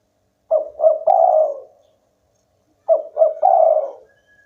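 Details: Eager local spotted dove giving two close cooing phrases, each with two short rising notes and a longer, vibrating low coo. The background is silent.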